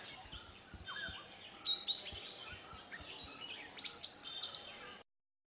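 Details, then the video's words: Indian yellow tit communication calls exchanged within a foraging group of four or five birds; two short bursts of high, thin whistled slurs over a steady background hiss with faint low knocking. "Indian (Black-lored)Yellow Tit"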